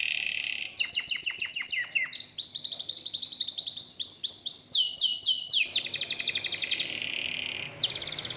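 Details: Local domestic canary song with many changing phrases: clicking descending notes, a sustained buzzy rattle, rolling trills, swooping whistles and a brief pause before a final trill.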